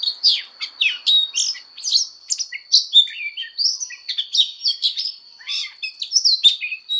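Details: Oriental magpie-robin singing its fighting song for voice training: a quick string of sharp chirps, rising and falling whistles and short trills, closely spaced, with a continuous thin high tone in the background.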